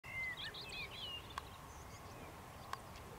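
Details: African stonechat (Saxicola torquatus): a quick run of thin, high, falling whistles, then two sharp, hard clicks over a second apart, over a steady background hiss.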